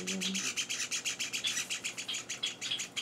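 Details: Java sparrow chicks, four days in a new home and being hand-fed, give rapid, high, raspy begging chirps, about five or six per second, with a brief low hum at the start.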